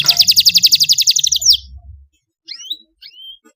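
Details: Juvenile canary learning to sing against a played model song of the cengkok mewah style, answering with a rolling trill: a rapid high pulsed trill for a second and a half, then a few short thin whistled notes, low rumble beneath.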